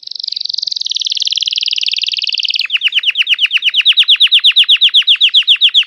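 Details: Long song of a red Belgian canary: a dense, fast buzzy trill for over two seconds switching to a run of clear, evenly repeated downslurred whistles, about four per second.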